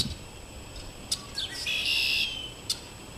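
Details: Red-winged blackbirds sitting in a backyard maple tree: a few sharp clipped notes and a quick slurred note, then a harsh buzzy trill lasting about half a second. Faint background hiss.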